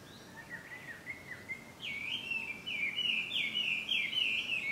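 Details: Chinese hwamei (Garrulax canorus) at Ikimono Fureai no Sato, labelled 200605, sings loud, rich whistled phrases that swoop up and down, growing stronger and more varied partway through, over a faint outdoor hiss.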